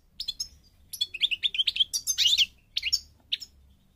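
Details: European goldfinch of the parva race from North Africa, Morocco, singing rapid tinkling high twitters in bursts, with a dense run of sharp chirps in the middle and a brief pause before closing notes.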